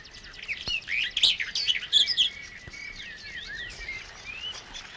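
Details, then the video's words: Barred Warbler in Matsalu water-meadows and coastal pastures, from a 1979 field recording. A harsh, rattling chatter builds to loud jumbled phrases in the first half, then fades into quieter rising and falling warbles over constant hiss. "Barred Warbler"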